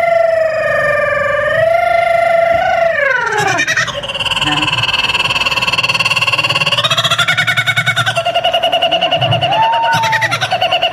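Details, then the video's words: Kookaburra at an indoor event in a small room at Roxbury Park, Johnstown PA, gives its territorial laughing call: a sliding opening note, then long pulsing, rapidly trilled cackles, followed by audience laughter. "Kookaburra making jungle sounds"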